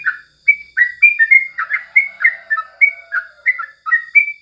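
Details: Yellow-vented bulbul morning song used as tutor song for training birds: quick run of short, bright, slurred whistled notes, some rising and some falling, about three per second, with a faint steady high hum behind.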